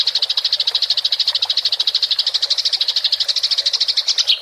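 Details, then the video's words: House sparrow giving a tarung ngerol, a fighting-style rolling chatter kept as a clear training recording for songbirds; an unbroken, even rattle of rapid high pulses lasting over four seconds, ending in a short sharp note. "MASTERAN GEREJA TARUNG NGEROL suara jernih"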